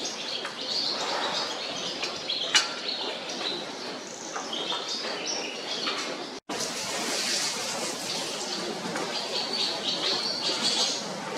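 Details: Barn swallows around an open cattle barn at Lamplhof, Bad Birnbach, Lower Bavaria, darting to and fro: a busy, overlapping chorus of quick high chirps and rattling warbles, with a brief break partway through.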